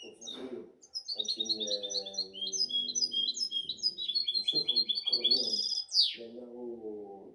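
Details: Seven-month-old European goldfinch hybrid, 2019–2020, pours out a rapid, tinkling string of high chirps and trills capped by a harsh falling buzz, with intermittent Arabic speech from a man.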